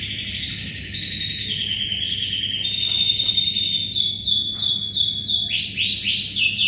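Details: Vigorous canary song meant for tutoring white-rumped shamas: sustained high whistles give way to fast rolling trills of descending sweeps, repeated about three to four times a second, over a steady low background hum.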